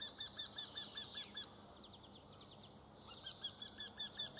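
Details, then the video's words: Eurasian wryneck giving a fast series of nasal, arched, evenly spaced notes, about five per second, for roughly one and a half seconds. After a short pause with faint background chirps, the same ringing series starts again. "Jynx torquilla - Крутиголовка звичайна (ґівґач, ґівґор) - Eurasian wryneck (northern wryneck)"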